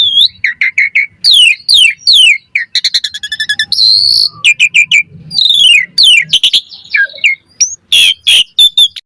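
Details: Lively Asian pied starling singing, meant as a lure to draw a quick reply and as tutor material: dense bright whistles, descending slurred phrases, rapid clicking trills and rasping bursts tumbling almost without pause.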